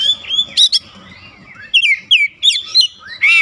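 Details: Oriental magpie-robin song aimed at drawing replies from birds at home: a long drawn whistle, a sharp note, then spaced downslurred whistles about every third of a second over a faint background hum.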